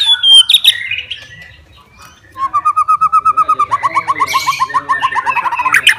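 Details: White-rumped shama, a fighter-type bird singing to challenge rivals, opening with sharp whistles, then a long steady series of rapidly repeated whistled notes followed by quick chattering phrases.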